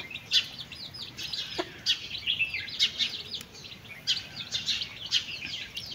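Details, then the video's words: Mother hen and chicks eating; a steady stream of short, sharp chick cheeps, repeated rapidly and evenly, over a faint background hiss with one low knock. "Chickens and chicks eating sound"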